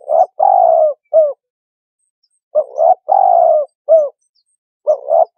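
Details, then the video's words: Turtle dove repeating a low cooing phrase: two short notes, a long slightly falling coo, then a clipped closing note, heard twice in full and beginning a third, with clean silence between phrases. "សម្លេងសត្វ លលក . The sound of Turtle-dove"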